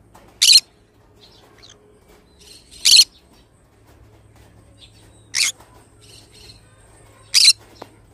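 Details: Harsh, high screeches from a pet pineapple green-cheeked conure, four loud calls roughly two to two and a half seconds apart over a faint low hum indoors.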